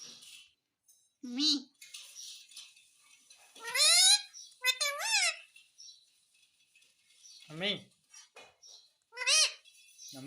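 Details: Talking parrot asking for roti, scattered mimicked words and squeaky syllables spread across the clip over a steady background hiss.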